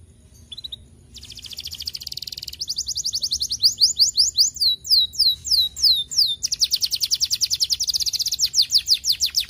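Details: Canary song played to stimulate other canaries to sing: rapid trills of repeated high notes, a fast buzzy rattle, then a long series of sweeping downslurred whistles about three per second, ending in another fast rolling trill.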